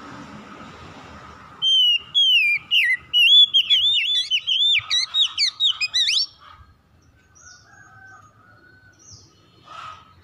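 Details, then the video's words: Oriental magpie-robin song used as a trigger for sluggish birds to start singing: a rapid run of loud, varied whistled notes and sweeping slurs for about four seconds, then a quiet pause with faint distant chirps. "KACER MALAS BUNYI CEPAT GACOR"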